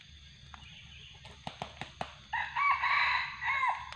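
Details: Wild junglefowl lured by a decoy, becoming increasingly aggressive; several sharp clicks and taps, then a loud buzzy crow rising in strength and holding for over a second before fading, over a low steady hum.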